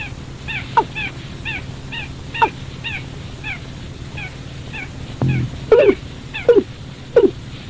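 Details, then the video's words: Watercock call used to lure birds into traps at night: falling notes among a busy series of small higher chirps, then a brief thud and several louder, lower descending notes near the end. "tiếng chim cúm núm"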